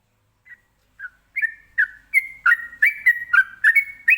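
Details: Sooty-headed bulbul (trucukan) singing in the rapid ropelan style, meant to prompt other birds to answer: after two spaced opening notes, a quickening run of bright whistled phrases, each a sharp onset sliding into a short held tone, nearly back to back.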